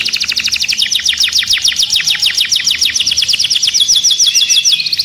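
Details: Furious caged canary delivers a sustained high trill of quickly repeated downward-slurred notes, several per second, shifting near the end into a faster, sharper rattling series.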